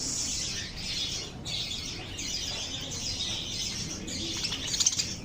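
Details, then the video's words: Lovebirds chirping in a steady, dense chatter of shrill, high-pitched notes that come in overlapping bursts about every second, with louder sharp chirps near the end. "RELAXING LOVE BIRDS CHIRPING SOUNDS"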